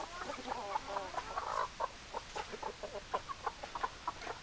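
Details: Hens cluck busily: quick, clipped, mid-pitched notes tumble over one another, building into a dense burst before thinning to spaced single clucks about every third of a second.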